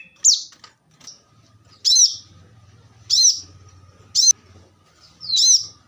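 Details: Plain-throated sunbird, known locally as kolibri kelapa or korlap, in a fast, intense gacor tembakan-style song used as a tutor track for songbirds: five sharp, high, downslurred chip phrases spaced about a second apart over a quiet background.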